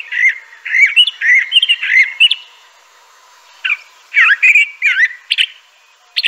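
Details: Crissal thrasher song of rich slurred whistled phrases, rising and falling, given in bursts with a long pause midway.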